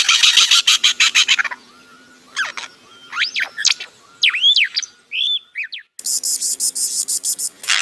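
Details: A bird making a funny sound: scattered upswept and arched chirps and squeaky whistles, broken by bursts of harsh, rattling noise at the start and end.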